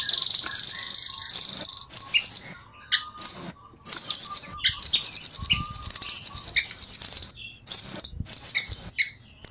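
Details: Long rolling song of a rambatan, the velvet-fronted nuthatch: very high, tightly spaced trills in long runs separated by short sharp bursts and brief pauses. A faint steady tone sits underneath.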